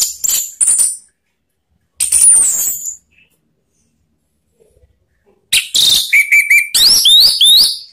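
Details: Orange-headed thrush calling to prompt other birds to sing freely: bursts of high, rapid, varied whistled and buzzy notes, a short phrase, another after a pause, then a longer run of sliding whistles and trills after a silent gap.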